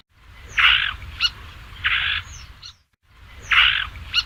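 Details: Song of a Basra reed warbler: loud, rasping, buzzy churrs about half a second long, each followed by a short sharp click-like note, over a low rumble.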